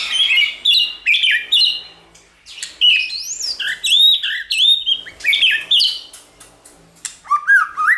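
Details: White-rumped shama song for stimulating another shama to sing: loud varied phrases of rising whistles, looping upsweeps and chatter, ending with a short series of quick rising notes.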